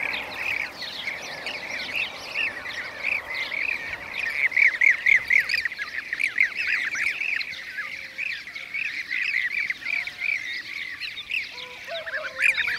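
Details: Several Blue-cheeked Bee-eaters, seen catching bees, give rolling, liquid trilled calls that overlap in a steady chatter; a few lower, softer notes come in near the end.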